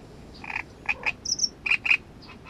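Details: Great reed warbler singing loud, harsh, chattering notes in pairs and short bursts, with one higher squeaky note between the grating phrases.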